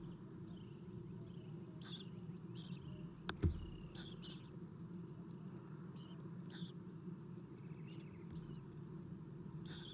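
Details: At 7:04 am on 11 April 2016, on a nest cam as the adult Athena feeds them, Eastern Screech-Owl owlets give short, raspy, hissing bursts every second or so over a steady low hum, with one soft thump.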